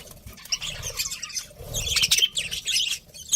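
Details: Pet budgerigars, a breeding pair, with soft high chirps and twittering, busier around the middle, over a low muffled background rumble.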